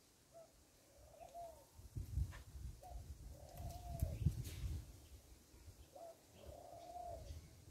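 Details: Rock dove on a farm giving soft, low coos, a short note followed by a longer drawn-out purring coo, repeated three times over several seconds above steady low rumbling background noise.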